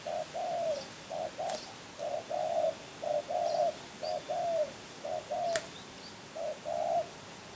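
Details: Champion spotted dove, known locally as tekukur, from Kebon Kacang, giving repeated two-part coos, a brief note then a longer drawn-out one, roughly every second, with a few sharp clicks and faint high chirps in between.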